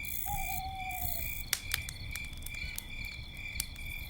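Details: Owl at night near a crackling campfire gives a single smooth whistled hoot of under a second, gently sliding lower, while crickets trill steadily and the fire snaps and pops in the background.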